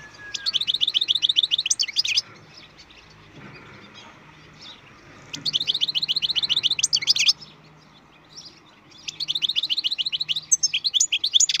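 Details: Captive-bred European goldfinch singing: three bursts of rapid, high, buzzy-edged twittering trills, each lasting about two seconds, separated by pauses of quiet with a faint low hum in the background.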